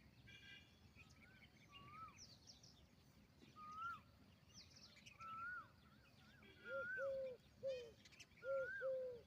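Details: Indian peafowl peahen calling: short clear arched notes repeated in quick bursts, mixed with a higher slurred whistle from another bird repeated every couple of seconds, over a hiss of background noise.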